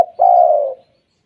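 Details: Spotted dove 'kuk 2' call, which sets other doves calling: a brief lead-in note, then one long, smooth coo lasting about half a second that slowly falls and fades. The background is quiet.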